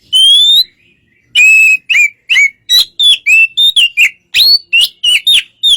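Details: White-rumped shama singing to provoke a response from another bird: a long pure rising whistle, then a steady series of short, sharp whistled notes with downward slides.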